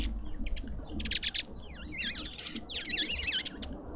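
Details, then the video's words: Lovebirds in a South African suburban garden in Pretoria chatter at a feeder: a few clicky bursts, then a run of high, wavering, zigzag chirps from more than one bird. "Lovebirds endlessly"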